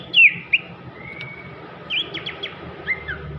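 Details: Sooty-headed bulbul singing: a few sharp bright whistles, a long level whistled note, then a short flurry of quick notes, all over constant low rumbling noise.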